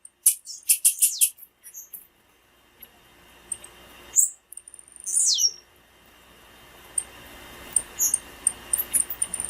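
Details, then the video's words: Female blue-black grassquit calls played to excite males and stir a quiet caged male into singing for tournaments: very high thin chirps in quick bursts, a sharp descending squeak midway, then scattered high ticks. "PIADO DE FÊMEA DE TIZIU FIT PARA ESQENTAR TIZIU NA HORA COM PIADO DE FÊMEA DE TIZIU tiziu cantando"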